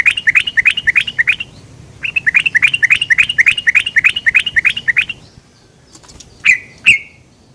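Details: Yellow-vented bulbul lure sound, 'cuk cuk': fast runs of bright, clipped notes in two bursts of about a second and three seconds, then a pause and two louder separate sharp notes with drawn-out tails.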